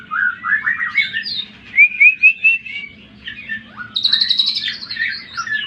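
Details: Greater green leafbird song for stirring up other birds: warbling chatter, three bright rising whistles, a pause, then a high buzzy rattle with scattered chirps.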